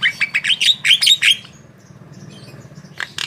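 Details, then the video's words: Javan myna in full song, recorded as training material for cage birds: a quick series of sharp, high chirps lasting about a second and a half, then near silence and a final harsh burst. "Masteran Burung Jalak Kebo Gacor"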